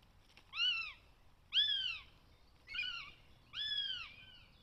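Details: Northern goshawk chick, the third in a nest in the Netherlands, begging on 20 June 2020: four loud, harsh, arched wailing calls, each about half a second long, spaced roughly a second apart, over quiet background.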